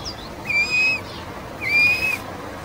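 Short-toed Snake Eagle giving two clear, plaintive whistles, each about half a second long, fairly level and slightly rising, spaced about a second apart.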